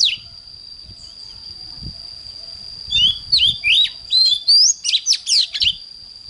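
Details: Oriental magpie-robin morning song, a recording for training magpie-robins to sing strongly: about three quiet seconds with soft low knocks, then a quick burst of rising and falling whistles and chirps.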